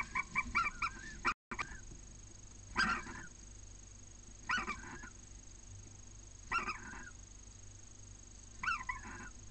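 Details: Barn owls during copulation at Cabañeros National Park, Spain, with two eggs already laid: harsh, nasal squealing calls repeated about every two seconds over a steady background hiss and hum.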